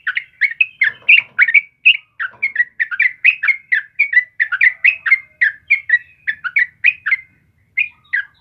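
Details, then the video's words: Lively yellow-vented bulbul song meant for training caged birds: a packed sequence of quick, slightly harsh chirps and short whistles that thins out toward the end with a short gap before two final notes. "Suara Burung Trucukan Kebo Asli Gacor buat pancingan dan masteran"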